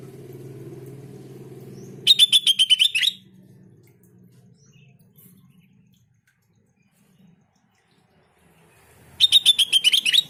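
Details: Sooty-headed bulbul calls played to get other bulbuls answering: two bursts of rapid, piercing chirps several seconds apart, each a second long with a rising flourish at the end, after a low background hum.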